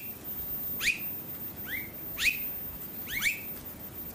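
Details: Australasian figbird (Sphecotheres vieilloti), Sunshine Coast, Queensland, October 2022, giving short, sharp downslurred whistles, singly or in quick pairs, about every second or so, over a soft steady hiss.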